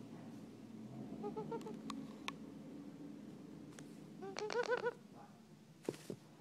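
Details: Curl-crested aracari, a pet female, burrowing into the owner's hair indoors: soft nasal squeaks, then a quick burst of about five bright, rising squeaky notes, over a low indoor hum.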